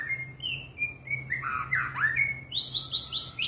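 White-rumped shama singing: varied clear whistles and slurred notes, ending in a quick series of bright, high ringing phrases over a steady low hum.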